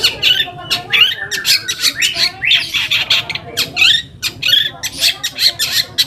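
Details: Provoking lure song of a long-tailed shrike, played so silent shrikes start singing: continuous harsh, buzzy chatter with scratchy notes packed closely, barely pausing.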